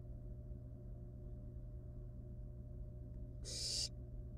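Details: A single short, harsh hiss from a wild barn owl nestling at the nest with live rat prey, after several seconds of quiet low hum.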